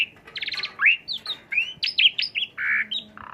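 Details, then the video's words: Lure song of the Asian pied starling, meant to stimulate another bird: a dense mix of rising whistles, harsh buzzy bursts and squeaky slurred notes delivered almost without pause. "bongkar isian jalak suren dan pancingan"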